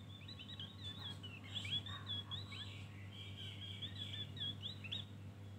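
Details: Javan grey-throated white-eye in ngeriwik full-fill song, a run of fast, chattering, slurred high notes that is almost unbroken throughout, over a low steady hum.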